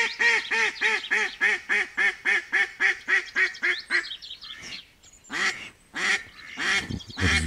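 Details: In spring 2022 in northern Novgorod region, on a frosty morning of about -5 to -3°C, a female Semyonov-breed mallard decoy duck calls to lure wild drakes: a loud, steady run of about a dozen nasal quacks, roughly three per second, then a pause and a few more.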